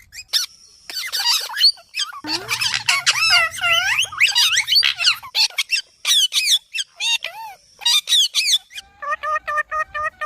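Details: Parrot chattering nonstop: dense high squeaks, squawks and swooping whistled notes tumbling together, ending in a series of short repeated harmonic calls.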